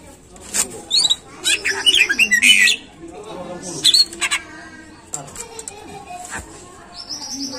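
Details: Greater green leafbird song used to lure caged birds into singing. Short bursts of clear whistles and scratchy notes are separated by pauses, over a faint steady background hiss.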